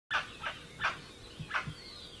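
Plain chachalaca giving four harsh, raspy notes in quick, uneven succession, a loud grating chatter with a faint thinner bird note behind.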